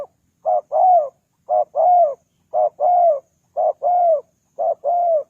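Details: Spotted dove call played to attract wild doves: five evenly spaced pairs of low coos, a brief note then a longer rising-and-falling one, about once a second, clean and without other sounds.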